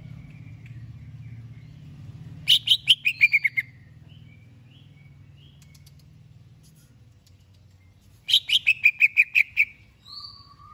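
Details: Greater green leafbird being prepared for a singing contest sings two separate bursts of about eight rapid, bright chirps each, falling in pitch, with brief soft whistles between and a steady low hum.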